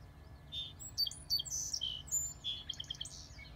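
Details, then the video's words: A song sparrow at a solar panel and wildflower installation gives a quick jumble of bright, high chips and whistles ending in a short rattling trill, over a faint steady low hum. "song sparrow calling"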